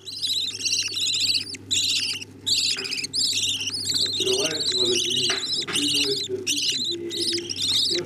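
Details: Young budgerigars begging as the parents feed them: a continuous stream of scratchy, high, harmonic squeaks in clustered bursts, with a quieter low grumbling sound in the middle.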